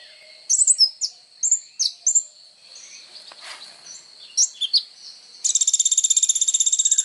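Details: Kolibri ninja sunbird singing vigorously, used as training material for songbirds: high thin chirps and downslurred whistles in short bursts, then a fast buzzy trill of evenly repeated high notes near the end.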